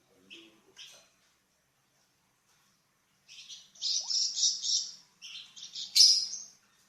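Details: Flamboyan bird's varied song, used as a tutor recording for training cucak ijo and magpie robin: a few short high chirps, a pause, then dense buzzy high warbling phrases ending in a sharp rising note.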